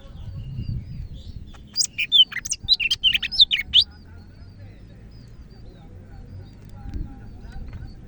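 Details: Greater green leafbird from Medan singing vigorously. A rapid two-second phrase of bright, steeply rising and falling whistles is followed by near quiet with faint low rumble.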